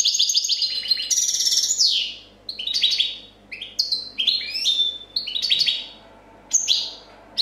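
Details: European goldfinch champion, 2014, singing clean copia song: a long rich passage of buzzy trills, rattling high bursts and quick descending twitters, broken into phrases with brief pauses.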